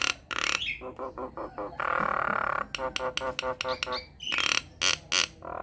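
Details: Nias hill myna lure song used as a tutor to get other mynas singing: nasal honking notes, a long buzzy droning phrase, then rapid harsh squawks and clicks.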